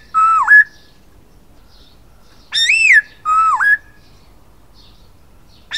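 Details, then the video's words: Silver-eared laughingthrush song of clear whistled phrases: a dipping then rising whistle, a bright arched note rising and falling, then another dipping whistle, separated by short silences. "Khướu bạc má hót"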